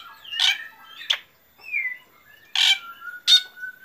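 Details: Black drongo singing in the morning: loud harsh broadband bursts alternating with thin whistled slurs and a drawn-out level whistle, about five phrases in under four seconds, with quiet gaps between.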